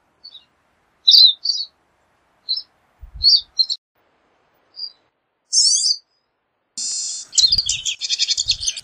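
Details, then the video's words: Pine siskin (Spinus pinus): scattered high chips and twitters separated by silences, a harsh rising zree note, then a long flat buzz running into rapid buzzy trilling song with low thumps. "Pine Siskin Song! Pine Siskin Call! Pine Siskin Sound! - Jilguero De Los Pinos Canto"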